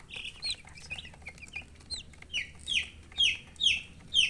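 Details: Baby chickens with colored down peep over and over, about two high downward-swooping chirps a second, growing louder and more insistent as the clip goes on.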